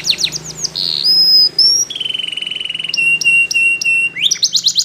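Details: Belgian canary song opening with quick descending chirps and a clear whistled note, followed by a long buzzy trill and then a rising whistled run ending in rapid high notes.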